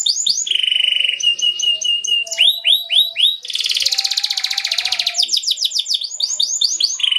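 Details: Canary rolling song used to lure other canaries into responding: loud varied phrases of rapid repeated high notes, downward-sweeping chirps and a dense buzzy trill mid-way, with faint lower tones beneath.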